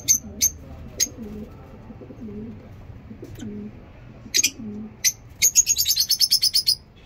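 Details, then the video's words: Morning lovebirds in a mini zoo give sharp, high single chirps spaced a second or so apart, then a rapid string of about a dozen quick chirps, with soft low cooing from other birds beneath. "Lovebirds Sound in mini zoo"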